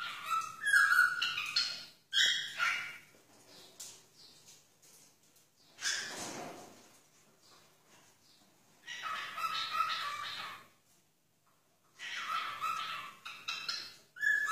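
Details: A cockatiel named Elmo in Wagga Wagga gives bursts of harsh, chattering calls with bright whistled notes, broken by short pauses.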